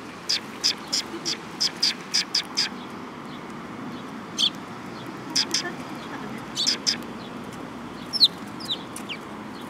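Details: Sparrows come for food at Mizukami Bridge, 18 May 2021; a quick series of about eight crisp high chirps opens, followed by scattered single and paired chirps and a few thinner squeaky notes.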